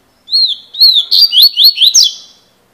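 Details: Coleiro, the double-collared seedeater, called a 'fibra' bird, sings two clear rising whistles and then a rapid string of sweeping, chirping notes that end in a downward slur, with no other sounds behind it.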